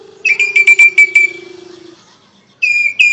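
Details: Asian pied starling (Gracupica contra) song, Indonesia: a long, steady, high whistle broken by quick sharp clicks over a low hum, then a pause and another bright whistle.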